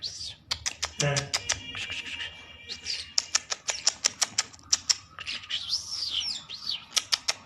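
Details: Trained lark, tame enough to sit on the hand, singing in the open: dense, rapid clicks interwoven with warbled and arched whistles that rise and fall. A brief low sound is heard near the start.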